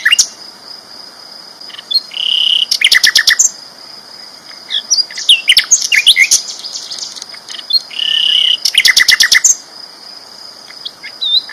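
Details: Sikatan londo flycatcher singing loudly and persistently: high chattering phrases and short buzzy trills in bursts, two flat whistled notes, with a steady high thin tone running underneath.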